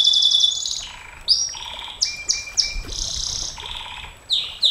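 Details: Canary singing a long continuous song used as a master model for training other canaries, with bright high trills, rapid repeated chips and sweeping whistled notes changing every half second.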